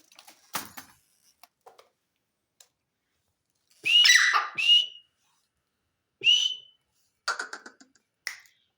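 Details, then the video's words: Teetar, a partridge, giving loud ringing whistles in a short series, each note rising to a steady tone, after a quiet start with scattered clicks and taps. "تیتر کی آواز"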